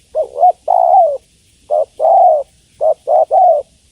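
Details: Female spotted dove calling to the male: low mellow coos, each phrase a quick double-noted coo followed by a longer drawn, slightly falling coo, repeated about every 1.5 seconds; quiet background.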